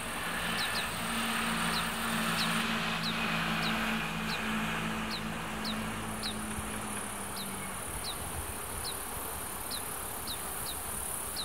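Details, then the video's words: Oriental greenfinch fledglings in Hiratsuka, Kanagawa, Japan, chasing parents and begging for food, recorded on a built-in microphone. High, thin downslurred notes repeat steadily about every half second over wind noise and a low steady hum. "カワラヒワ 巣立ち雛が餌をおねだり"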